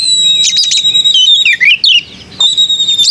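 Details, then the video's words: White-rumped shama song, called melodious: a sustained high whistle joined by quick warbled phrases and descending slurred notes, then the steady whistle again. "Burung kacer bersuara merdu"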